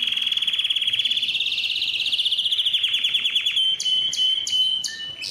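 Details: Canary singing for tutoring fledglings and stirring other males to sing: a rapid pulsing trill rising slightly in pitch, breaking into a quick run of downward notes, then crisp evenly spaced metallic clicks.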